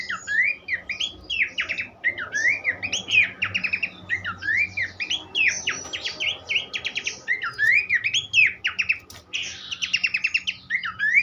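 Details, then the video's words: Extended song of a Horsfield's babbler, meant for teaching songbirds: repeated swooping, looping whistles mixed with bursts of rapid staccato notes, sung continuously for over eleven seconds. "vokal mewah sang guru masteran khas pelanduk semak"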